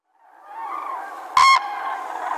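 A crane gives one loud, brassy trumpeting note, brief and slightly rolling, over a steady murmur of distant calling birds.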